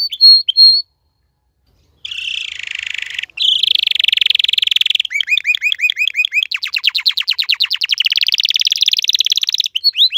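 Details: Male canary singing in bright, high phrases: a buzzy trill, then rapid repeated rolling notes pulsing several times a second, with short pauses between.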